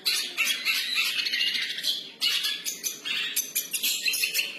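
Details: Long-tailed shrike, called cendet, singing in free style: a dense, harsh, chattering stream of scratchy and buzzy notes, broken by brief pauses, with a faint low hum underneath.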